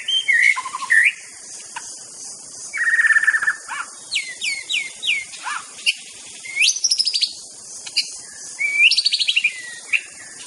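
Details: White-rumped shama from Aceh singing a master song: varied whistled phrases, quick upslurred notes, a buzzy rattle and high sweeping figures separated by short pauses, over steady high hiss.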